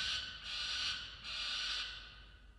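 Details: In a nest box at 6:09 am on 27 December 2022, a peregrine falcon screams while defending its musk lorikeet prey. Three long, hoarse, wailing screams follow one another closely and fade at the end.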